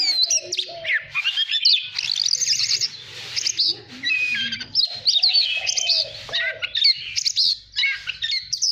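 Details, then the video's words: White-rumped shama kept as a song bird, singing to train its voice and provoke competitive song; long varied sequence of bright whistles, rapid trills and dropping slurs, with brief pauses between bursts. "Chòe than hót hay /luyện giọng /ép giọng chuẩn /kích chim hót đấu hiểu quả"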